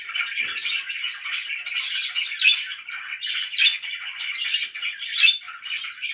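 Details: Pet budgerigars chirp in a thick, continuous chorus of buzzy warbles and squeaky calls, with louder sharp squawks standing out every second or so.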